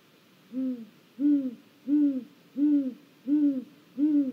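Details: On a live camera in Mission Valley, 1 April 2022, a great gray owl resting on a snag utters six soft, deep hoots at a regular pace, each one a short rounded note.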